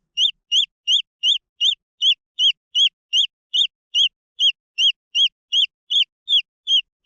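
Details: Green junglefowl chicks giving a steady run of high, clear peeping notes, each rising then falling, repeated about two or three times a second with a faint upper harmonic; no other sounds.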